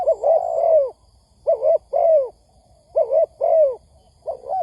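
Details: Spotted dove lure recording used to attract wild doves for trapping. A long slurred coo opens, followed by paired hollow notes with downward bends, repeated about every 1.5 seconds over faint high beeps and hum.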